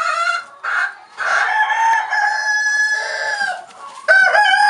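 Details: Orpington rooster that has found grain in the straw, calling his hens to it: a series of harsh, harmonic calls and short clucks with brief gaps, ending in a loud, abrupt rising note.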